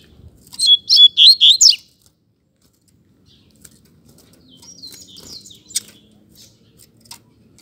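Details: Caged double-collared seedeater in a singing dispute, delivering five loud, evenly spaced slurred whistles, then a softer, looser twittering passage with faint background noise.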